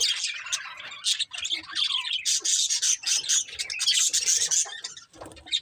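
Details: Breeding pair of budgerigars producing continuous raspy warbling chatter with quick repeated chirps, fading at the end.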